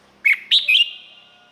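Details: Single Thai Red-whiskered bulbul phrase: three clear whistled notes, the second highest, ending in a lingering echoing tail.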